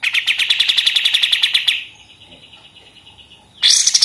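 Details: Pied triller in energetic 'machine-gun' song style, used as a tutor for other songbirds: a rapid burst of sharp chattering notes, roughly a dozen per second, breaks off into a thin sustained whistle, then the fast rattle resumes.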